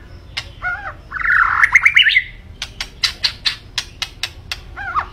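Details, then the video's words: Energetic white-rumped shama sings a harsh, buzzy squawking burst mixed with rapid chattering ticks. A string of sharp clicks repeated about twice a second follows, then a brief slurred whistle. "Kicau Burung Murai Batu Gacor"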